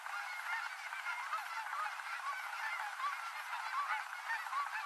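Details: Many Canada geese calling as they gather and land on Oregon's Rogue River at the end of the day; an even, distant-sounding chorus of short honks, some clearly upslurred, with no other noises.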